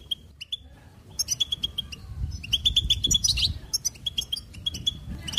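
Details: Goldfinch song of bubbling, liquid twitters: sparse opening chirps build into dense bright phrases of rapid repeated notes, with soft low background noise.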